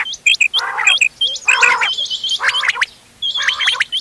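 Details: Quail mix of ghonge wal, doghla and changa calls for hunting, dated 31 October 2025: hooked whistles and harsh grating bursts overlapping, a short pause, then more raspy notes.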